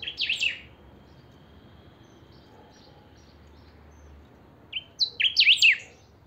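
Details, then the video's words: Chiviro, or Saffron finch, in 'pica' style song used to get other chiviros singing: two bursts of sharp zigzagging buzzy whistles several seconds apart, separated by quiet with a faint steady hum. "Pica cantando a full"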